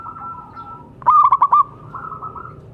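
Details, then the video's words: Local zebra dove kept to coax non-singing doves: a single quick rolling coo of about five pulsed notes, mid-pitched and even, after a faint hum. "Perkutut lokal gacor suara bagus untuk terapi yang macet bunyi."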